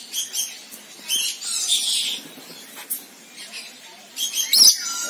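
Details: Rainbow lorikeet, Trichoglossus haematodus, giving harsh, buzzy, high screeching calls in scattered bursts, with a sharp louder squawk near the end.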